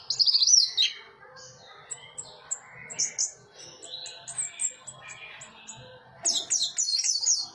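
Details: Orange-headed thrush singing in the sustained teler style: a loud high whistled phrase, a stretch of soft scattered chirps, then a renewed burst of sharp high twittering.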